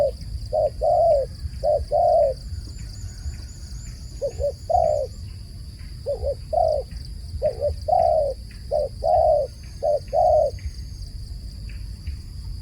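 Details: Long sequence of dove coos: paired short notes and sustained hooting tones recurring roughly once a second, with soft high twittering of small birds and constant low background rumble.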